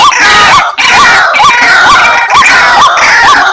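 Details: Dense White-breasted waterhen lure calling meant to attract the bird: evenly spaced hooked honks about two per second, buried in a loud, continuous wash of overlapping raucous calling.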